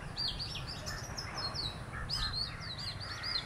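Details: Song of an Oriental magpie-robin from a visiting pair: a busy run of high, curling whistles and quick slurred notes, pausing briefly mid-phrase and resuming, with a steady low hum underneath.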